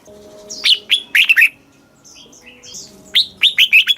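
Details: Red-whiskered bulbul singing in Thailand's southern master-song style, meant for stimulating caged birds and teaching chicks: clear whistled phrases of rapid slurred notes, separated by a pause with soft distant chirps and a faint hum.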